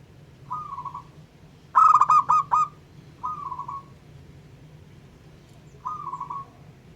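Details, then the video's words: Local zebra dove singing to provoke other zebra doves: soft rolling coo-trills, then one loud burst of about five staccato, ringing coos, then more soft trills, over a steady low hum. "Perkutut LOKAL Jago Mancing EMOSI Semua Jenis Burung Perkutut"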